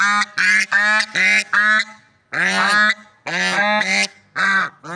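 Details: Swans in nature trumpeting in a lively series: rapid clipped honks, then longer, drawn-out nasal calls, a dozen in five seconds with short pauses between.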